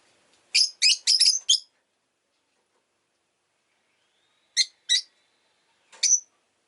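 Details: Pet rosy-faced lovebird giving sharp, harsh chirps: a rapid burst of five at the start, then a pair and a final single chirp after a silent gap, with street noise from cars, motorbikes and bicycles noted in the recording.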